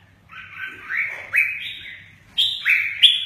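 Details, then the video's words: Red-whiskered bulbul, song in the "mơ ché nẹt" style with wing display; a few clear whistled notes that slur upward and then level off, the last ones louder and sharper, over a faint low hum. "Chào mào mơ ché nẹt, chơi cánh rất hay"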